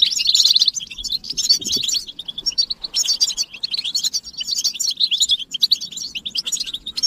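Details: European goldfinches in a group chorus of twittering, used to stimulate silent males into song. Dense, rapid high twitters and tinkling notes run almost nonstop, with a buzzy trill near the start and brief pauses around two and three seconds.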